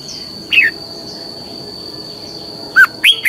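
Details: Red-whiskered bulbul training song in the long double twisting style. Separate short slurred whistles are scattered over a few seconds: one descending note, then two rising looping notes close together near the end. A steady high tone sounds in the background.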